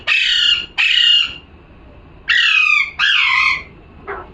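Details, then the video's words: Parrot calling loudly: four harsh, grating screeches in two pairs, each about half a second, with a short softer squawk at the end. "#calling sound"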